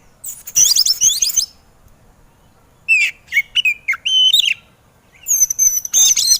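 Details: Kacer, the white-rumped shama, in a training recording aimed at making birds sing: a harsh high buzzy burst, silence, then a series of short whistled notes, ending in another scratchy high burst.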